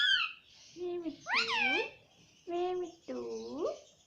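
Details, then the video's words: Pet Indian ringneck parakeet talking indoors, mimicking human words, with repeated short harmonic phrases that swoop up and down, some bright and high, others lower and voice-like, separated by brief pauses. "Mitthu Mitthu Bolne Wala Batuni Tota - Talking Parrot"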